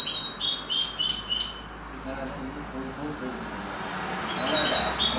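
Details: Common linnet schooled in the goldfinch's song gives a rapid, jingling chain of high notes at the start, then a stretch of murmuring background noise before brief twitters resume at the close.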